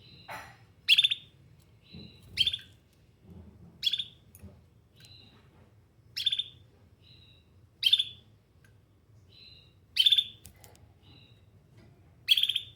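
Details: Canary repeating a short, loud, sharp chirp about every one and a half to two seconds, with soft high notes between the bursts.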